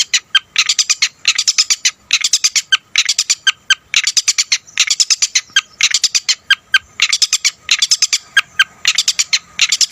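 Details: Long-tailed shrike singing energetically with a full mimicry repertoire, used to provoke other shrikes: dense, harsh, scratchy chattering bursts about every half second, with brief sharp notes packed into rapid phrases throughout.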